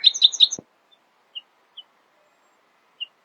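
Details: Early-morning nightingale song with a quick loud burst of repeated chattering notes, followed by a few isolated soft whistled notes spaced apart.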